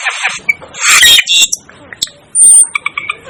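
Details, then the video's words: Asian glossy starling calling, a mix of harsh buzzy bursts and short high chirps, with a bright thin whistle near the end; calls come in uneven clusters with brief pauses. "'DEVIL ' BIRD CALL || Asian Glossy Starling Calls Aplonis Panayensis"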